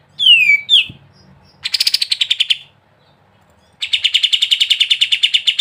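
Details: Sooty-headed bulbul in gacor ngebren song. It opens with a falling whistled phrase, then a buzzy chip rattle follows. After a silence, another long run of rapid, evenly spaced chips comes.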